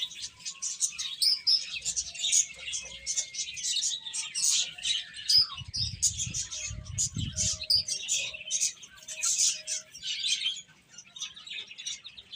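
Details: Chicks of domestic chicken, eating and playing, give a dense chorus of high, shrill chirps that overlap continuously, with brief low thumping noise around the middle.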